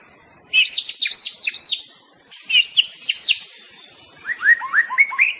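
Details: White-rumped shama song made of three bursts of loud, clear, sweeping whistled notes, each burst holding four to six slurred phrases, with short pauses between bursts. A faint steady high hiss runs throughout.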